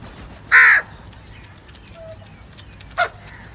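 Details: Crow calling with one loud, hoarse caw, followed after a pause by a softer, shorter second caw and a faint distant note between them; otherwise quiet.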